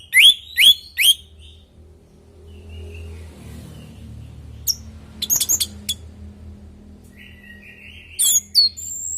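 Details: Orange-headed thrush in active natural song, used as a lure to get other thrushes to answer. Three sharp high chirps open, a soft warble follows, then scattered quick notes and a closing pair of bright chirps over low hum.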